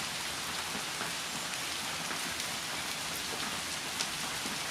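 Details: Steady heavy rainfall patters on surfaces throughout, with no animal voices.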